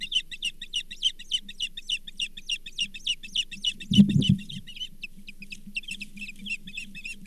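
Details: Osprey at the Charlo nest with a Brown Bullhead fish, 24 April 2023: rapid series of sharp, high chirps repeated about three per second over a steady low hum, with a brief low thump near the middle.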